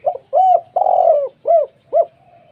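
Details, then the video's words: Spotted dove's heavy, deep 'kuk 2' call, used to set other spotted doves off: a brief stutter, an arched coo, a long sustained coo, then two short rounded coos. "PANGGILAN KHAS ( KUK 2 ) SUARA tebal dan besar Membuat tekukur IKUTAN PANASS"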